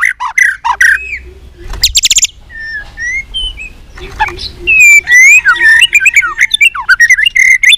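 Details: White-rumped shama in training for singing contests, singing in many voices: loud varied whistles, sharp buzzy bursts and rapid sliding notes in quick succession, over a low steady background hum.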